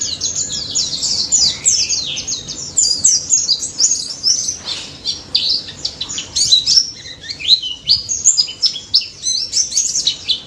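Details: Ngalas song of a daput white-eye used to draw song from silent white-eyes: a lengthy, busy torrent of thin high chirps, zips and short trills, varying in loudness but never stopping.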